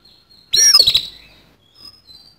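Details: A single loud, harsh burst of sweeping high notes from an oriental magpie-robin in fighting song with a rough fill, lasting about half a second, followed by faint thin whistles.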